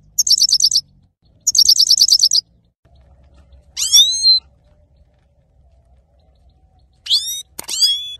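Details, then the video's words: Singing male saira goldfinch gives two rapid high trills of clipped repeated notes, then after a pause several sweeping upslurred whistles, with a soft low hum underneath. "male saira gold finch singing"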